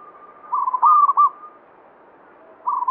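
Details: Zebra dove of the local banyumili type singing energetically: a rippling cooed lead-in, then a loud stuttering phrase of quick notes, a pause, and another rippling coo starting.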